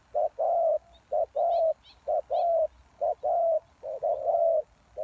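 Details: Spotted dove calling as a lure for wild doves, loud clipped coos in short-long pairs repeated about once a second, small birds chirping faintly higher up.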